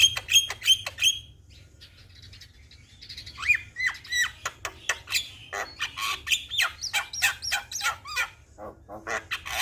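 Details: Javan myna (jalak kebo) song from a tutoring recording for young birds. Repeated whistles at the start, then falling slurred whistles and a long busy stretch of harsh chatter and clicking notes.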